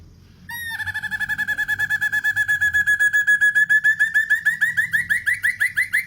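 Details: Black-and-red broadbill song used as a tutor recording for training songbirds: a long series of rapid, harmonically rich notes that start flat and steady, then speed up into short upward-curving slurs, about forty notes in under six seconds.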